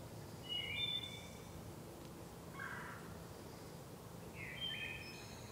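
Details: In a sacred grove, a wood thrush gives three quiet flute-like phrases spaced about two seconds apart, each a brief clear whistle with a burred edge, over steady background noise.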